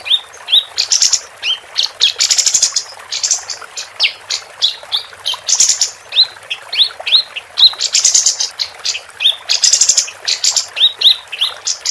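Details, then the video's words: Female capped white-eye singing continuously, a tutor track for contest birds: long stream of high chirps and upslurs broken by recurring buzzy, rattling bursts roughly every four seconds. "Kapas Tembak Betina Gacor"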